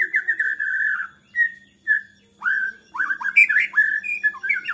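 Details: Agitated white-rumped shama song that draws other shamas to sing: a warbled mid-pitched phrase, two short whistles, then swooping rising and falling notes and high chips in quick succession, with a faint hum underneath.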